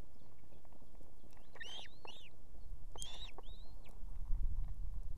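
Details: Estonian nest, evening: a female osprey with two chicks calls the male to bring fish. Two pairs of sharp, whistled, arched chirps, close together, with low rumbling noise growing toward the end.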